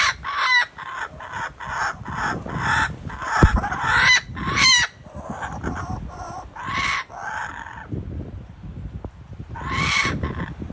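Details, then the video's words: Kookaburra in Australia in full laughing chorus: dense, rapidly repeated harsh cackles and hoots building over several seconds, easing, then a final loud burst near the end. "What does a kookaburra sound like?"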